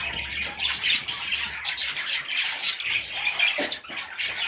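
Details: Baby parrots give a noisy mix of rough squawks and piping chirps, rising and falling in loudness, with one lower squawk near the end.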